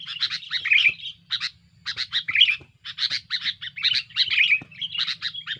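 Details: Sooty-headed bulbul giving a noisy, aggressive song meant to pressure rivals, used as a lure: harsh buzzy chattering bursts in quick clusters, with a brief gap near the middle and a faint low hum beneath.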